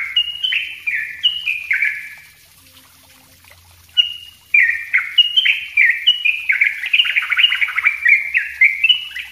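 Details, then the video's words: Yellow-vented bulbul song in a close, dense master recording meant as a lure: bright slurred notes sliding downward, strung into bubbling phrases, with a brief pause near the middle before a longer, busier run of quick chattering notes. "suara trucuk ropell rapat buat pancingan dan masteran trucuk bahan"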